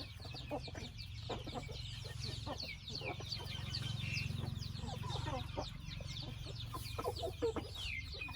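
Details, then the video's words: Flock inside a chicken family house giving rapid high falling cheeps and repeated short clucks, over a constant low humming drone. "Chicken sound"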